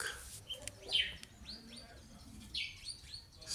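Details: Bush lark on a lakeshore gives brief, high chirps and quick arched whistled notes, several in a loose series over a few seconds, against a faint murmur of lake water and boat engines.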